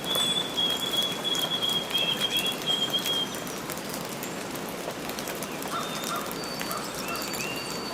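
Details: Baby bird in the nest giving one long, high, slightly wavering whistle for about three seconds, then only faint traces under a continuous rain-like hiss.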